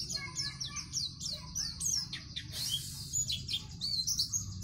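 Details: White-eye (pleci) song meant for training young captive birds: high, quick slurred chirps and twitters over a steady low hum, broken by a short rustling burst midway.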